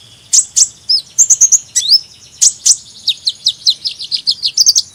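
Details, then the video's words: Sunbird twittering made of piercing high chirps, a few slurred whistles, then an even string of about a dozen rapid descending tweets closing the phrase. "Kicauan Burung Kolibri"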